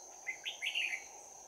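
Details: Red-whiskered bulbul with a bell-like voice, singing a close-combat fighting song during trapping on 11 January 2019. A single quick phrase of three or four bright, rising and falling whistled notes plays against a continuous shrill insect tone.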